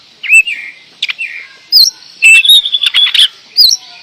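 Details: Indonesian kacer, the oriental magpie-robin, in energetic 'gacor door' song. Upward-curving whistles and quick chattering bursts come in clusters, with short gaps between phrases.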